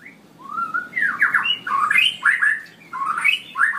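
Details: Straw-headed bulbul singing in the long ropelan style: a continuous run of rich, bubbly whistled notes swooping up and down, with loud liquid phrases packed tightly together and no pauses.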